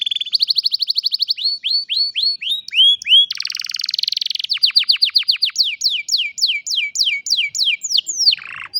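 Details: Canary, recorded with a cellphone, pours out a long unbroken song: fast repeated chirps, a harsh buzzy trill, then a series of sharp descending whistled notes about three per second.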